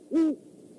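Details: Great horned owl at the Decorah eagle nest overnight on 12-17-14, one of a male and female pair visiting together: a single deep, short hoot, steady in pitch and rising briefly in loudness before cutting off.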